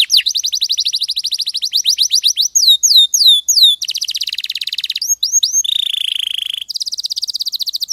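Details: Canary song used as a tutor recording: long rapid trill of high chips, a few swooping whistles, a rolling buzzy tour, then a lower steady rattle and a bright fast trill.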